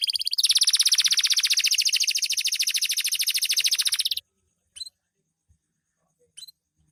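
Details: Canary (loper type) singing at night in captivity: a sustained, very fast high trill lasting about four seconds, followed by silence broken by two brief sharp chip notes.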